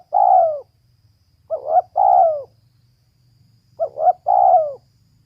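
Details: The clip opens with the tail of a long falling coo from a female spotted dove, followed by two full phrases. Each has short stuttering notes leading into a sustained, mellow, descending coo.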